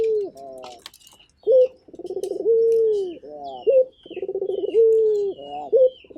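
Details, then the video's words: Local turtle dove cooing actively: a rattling, pulsed opening runs into a long, smooth, steady coo that drops slightly at the end, repeated in several phrases. Small birds chirp faintly in the background. "Burung Puter Gacor"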